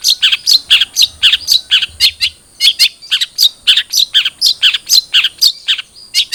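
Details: Long-tailed shrike, trotol type, heard as a lure to prompt a kept bird to sing: a continuous busy stream of scratchy high chirps, about two a second, in quick uneven bursts.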